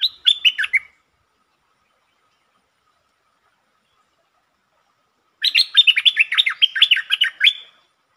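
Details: Streak-eared bulbul, 13 February 2023, whose song includes long and doubled phrases: a short end of a phrase, five seconds of silence, then a two-second run of rapid, bubbly, chattering warbles.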